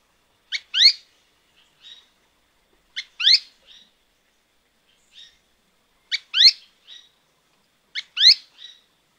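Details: Azara's spinetail from Alto San Miguel giving a sharp two-part call: a short high note followed by a stronger downslurred note, with a soft trailing chip, repeated roughly every two to three seconds in silence.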